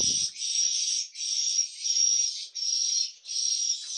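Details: Swiftlets inside a swiftlet house, in the nesting and hatching room, make a dense, buzzy, high twittering in bursts of about a second, broken by brief pauses, like many birds chattering together in an enclosed space.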